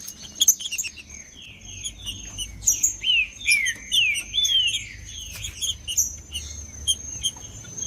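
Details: Green-winged saltator singing hard, macheando style, to warm up others: a few high chirps, then a clear series of slurred whistled phrases sliding up and down, repeated quickly, with a thin high whine throughout.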